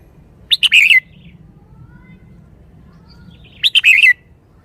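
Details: Lively caged Red-whiskered bulbul singing two matching short phrases roughly three seconds apart, each a quick cluster of bright chirps sliding down into a brief warbled tail, with low murmur beneath.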